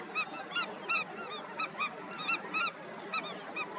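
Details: Colony of Indian skimmers at National Chambal Sanctuary, Dholpur, Rajasthan, India, in February 2021, several birds calling over one another in sharp, nasal yelping notes in quick, uneven bursts over a steady hiss; Indian skimmer.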